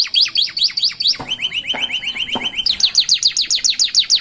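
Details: A canary chick's roadside song in a unique rhythm: quick falling whistles, then a rapid series of short level chirps, followed by loud repeated steeply descending whistled notes.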